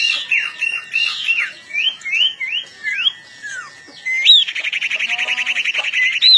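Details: Agitated long-tailed shrike readying for a fight: a string of quick downslurred whistles and squeaky chirps, then a loud upswept note leading into a fast, buzzy, pulsing trill.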